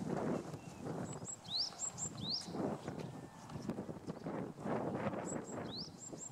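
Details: Japanese tit spring song: thin, high two-part phrases, a short upswept note paired with a sharp higher one, repeated several times over heavy wind rumble.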